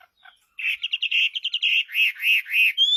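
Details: Chinese hwamei in song, a fast run of loud, clear whistled notes followed by three drawn, slurred rising-falling whistles and a final high note.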